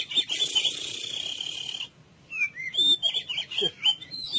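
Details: White-rumped shama singing a full cililin-style training song, opening with a steady buzzy held note, then a brief pause and a run of quick clear whistles and chips.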